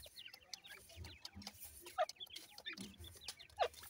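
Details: Grey francolin chicks at feeding and play keep up scattered high, thin peeping. Two loud, abrupt clucks punctuate it, about one and a half seconds apart, over low murmuring sounds.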